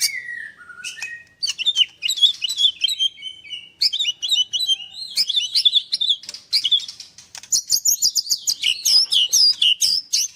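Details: White-rumped shama, 'nembak' style, kept at a Kendal bird farm in Indonesia: a falling whistle opens a dense, fast twittering medley of high chattering and trilled notes.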